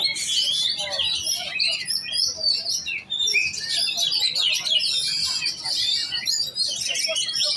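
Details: Oriental magpie-robin, called kacer, singing energetically in competition giras style: an unbroken rush of high, chattering and whistled notes, rich and varied throughout.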